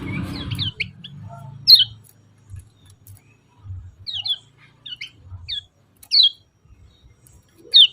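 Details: Yellow-vented bulbul calling in short, separated bursts: crisp, high downslurred chirps, often in pairs, every second or so, over a quiet background with soft low thuds.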